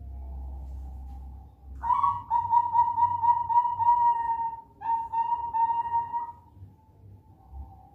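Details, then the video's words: Bangkok variety zebra dove, four months old, singing a promising song useful for luring other doves: a faint note, then a loud throbbing coo lasting about three seconds, a short gap, a second shorter rolling phrase and fading soft coos, with steady low hum. "Irama prospek perkukut bangkok usia 4 bulan"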